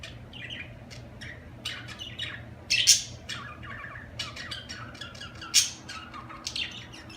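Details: Pet budgerigars chattering in a continuous stream of quick, scratchy chirps and warbles, broken by two louder, harsh squawks near the third and sixth seconds, with a faint steady low hum underneath.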